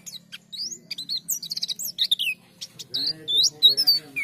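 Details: Oriental white-eye singing to draw a response from other white-eyes: a fast, jumbled stream of thin, high chirps and short upslurred whistles, growing busier toward the end, with a constant low hum beneath.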